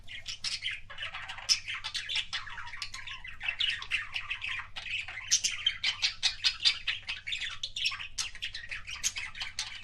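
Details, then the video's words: Budgie kissing sounds in a pet setting: rapid scratchy chattering, sharp squeaks and quick chirps packed tightly together, with pulsing bursts of loudness over a faint hum. "BUDGIE KISSING SOUNDS"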